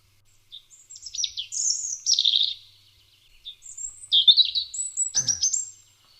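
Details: European robin song played back: high, thin warbling phrases with quick trills and sliding whistles in two bursts split by a brief pause, closing with a sharp click.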